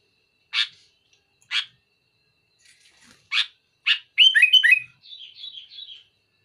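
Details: Sooty-headed bulbul singing hard to pressure a rival: spaced harsh chips, then a loud jumbled burst of whistled notes and a softer wavering trill to close.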